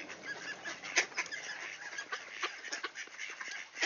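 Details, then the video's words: Ducks greeting at the door, Sainte-Adèle, Quebec, Canada, 16 September 2024 just before noon, clear weather; strong honking quacks burst out in uneven clusters, with one loud call near the start. "Ducks Greeting at the Door"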